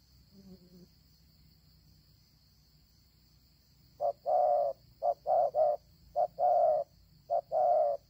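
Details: After several seconds of near quiet with a brief low murmur, a wild spotted dove starts cooing in short-long paired notes, repeated rhythmically, with a faint steady high whine behind.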